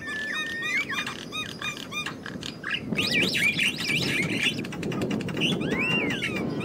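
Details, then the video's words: Wild Javan myna singing: clipped repeated chirps and clicks, then a burst of zigzagging whistled notes and a final arched whistle, over a busy low rumble. "Jalak kebo liar"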